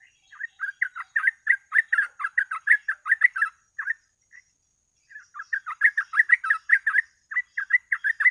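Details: Sooty-headed bulbul in rapid 'gacor ropel' singing used as a bird-catching lure: dense runs of short bubbly whistled notes, two long bursts split by a brief pause, over a faint steady high whine.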